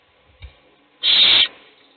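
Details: Owl feeding a chick inside a nest box as other chicks sleep; one half-second harsh hissing screech after a soft thump.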